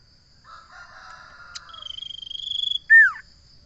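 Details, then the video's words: Common iora starting with soft buzzy chattering notes, then a long rising-in-volume high trill and a loud down-slurred whistle to finish; a thin continuous high tone is audible throughout. "Suara burung sirtu/ Suara burung Cipo/ Suara burung Cipow/ Suara burung cipoh"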